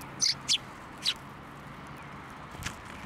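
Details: At a Tenmangu shrine on 21 December 2023, sparrows coming to a hand for food utter three clear, piercing chirps close together, followed by quiet background noise and a faint distant note.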